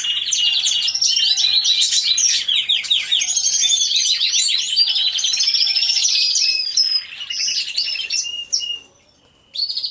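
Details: Group of canaries singing in an aviary, hidden-camera recording: rolling rhythmic trills repeated in quick bursts over a busy high chorus, fading and briefly falling silent near the end before resuming.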